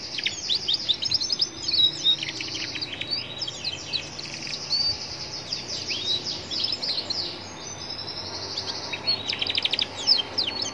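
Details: Young Atlantic canary singing beside a roadside, used to provoke other canaries into answering; continuous high, rapid trills and twittering phrases with sharp whistled notes, carrying on almost without pause over steady low traffic rumble.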